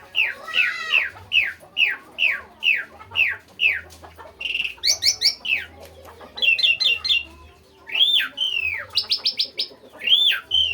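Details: Asian pied starling in energetic song: a run of about ten rising-falling whistled notes, then varied buzzy phrases, rapid trills and loud arched whistles, over a faint low hum.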